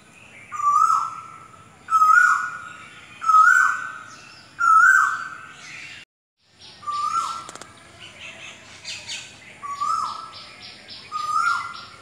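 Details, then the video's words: Asian koel (kokil) song: a steady run of rising, swelling whistles about every one and a half seconds. After a brief break they continue more softly, overlapped by high chattering and chirping of other birds. "Song of Asian Koel / Kokil"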